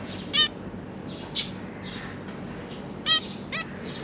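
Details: Zebra finch parents with three fledged juveniles in a cage, feeding the young: a few separate short nasal beeping calls, spaced one to two seconds apart, against a quiet steady hum.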